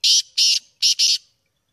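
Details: Black francolin, named as Sindhi black partridge, giving a harsh grating call of four loud rasping notes in two pairs within about one second, then silence.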